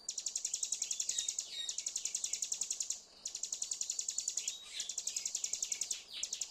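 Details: Hill prinia song played as a trigger to get a bird that has stopped singing to sing again: rapid, high, ticking notes delivered in fast bursts of about a second, separated by brief pauses, with no other sounds.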